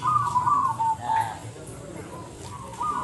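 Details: Zebra dove (perkutut) at a local singing contest in Windusari, Magelang, Central Java, Indonesia, giving soft, rolling mid-pitched coos in quick bursts with pauses, over a low background hum.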